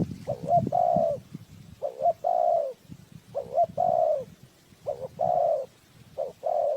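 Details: Decoy spotted dove calling to attract wild birds for trapping. Five quick phrases, each of one or two brief notes before a drawn-out, full coo that sags at the end, repeated about every second and a half.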